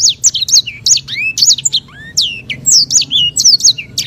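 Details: Sanger, or white-rumped seedeater, giving long rolling master song: rapid bright whistles, many sharply descending slurs and a few rising glides, strung together without pause over four seconds.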